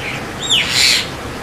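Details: White-vented myna, or Javan myna, giving one quick sharp downslurred whistle that runs straight into a rasping, scratchy burst, against constant background noise.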